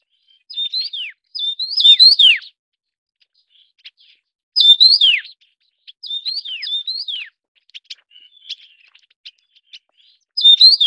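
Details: Taiwan yuhina, endemic to Taiwan, calling while feeding chicks; bursts of sharp, high chirps with steep downward slurs, in clusters roughly every two seconds, separated by faint ticking notes.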